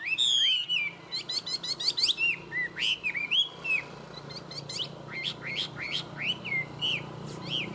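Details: Tame Chinese hwamei singing well, opening with a fast high trill, then rapid series of sharp chips and mellow upslurred whistles repeated several times a second over a low background hum.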